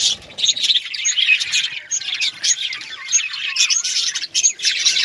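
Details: Budgerigars kept as pets produce steady, high-pitched twittering, many quick chirps and scratchy warbles overlapping with occasional clear piping tweets.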